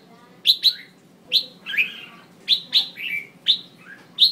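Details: Female red-whiskered bulbul calls meant to stimulate males into song: sharp, separate chirps, each dropping steeply in pitch, some in pairs, spaced roughly half a second to a second apart over a faint steady hum.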